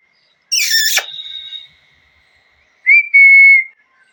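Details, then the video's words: Parrot letting out a loud, harsh, noisy squawk that trails into a thin tone, then after a pause a clear, steady whistle held for nearly a second. "Loud Parrot Noise #3 | Natural Parrot Sounds | Parrot Calling Sounds"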